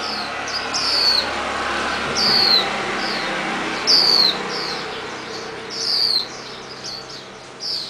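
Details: Released Swinhoe's white-eye fledgling moving about a garage while its parents follow with red berries to feed it; high, thin, downslurred calls recur about every two seconds above a continuous low broadband noise.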